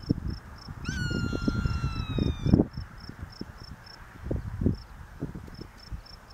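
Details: A hawk about 40+ yards away, which the owner suspects is a brown hawk, gives its single squawk: one long, hoarse, slightly falling call of about 1.5 seconds, over steady high cricket chirps and low rumbling wind.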